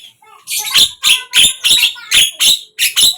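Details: Javan myna song, heard in morning, midday and evening: evenly spaced harsh, rasping notes about three per second, each a broad scratchy burst with a squeaky edge.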